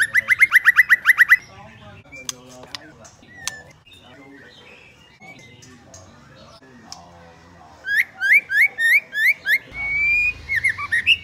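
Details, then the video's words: Female white-rumped shama, voice used to stimulate males: a rapid burst of repeated whistled notes, a long quiet stretch with faint clicks and ticks, then a steady series of upslurred whistles ending in a long note. "Chòe lửa mái kích bổi lên lửa cực sung/kích trống sung mãn hót cả ngày"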